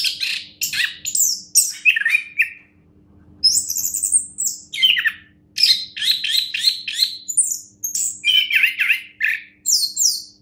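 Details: Orange-headed thrush, a contest winner, pours out fast strings of shrill chirps and clear rising whistles, pausing briefly once early on, then continuing with dense repeated notes.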